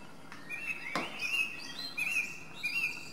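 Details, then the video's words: Song thrush (Turdus philomelos) in song, quieter and more distant here: varied warbling whistles strung together, with one sharp click near the start against a faint background hiss. "Drozd zpěvný - The song thrush: Zpěv/Singing"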